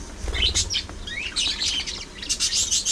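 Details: Budgies warble in high, sliding chirps and buzzy squeaks, rising to a dense burst of overlapping notes at the end.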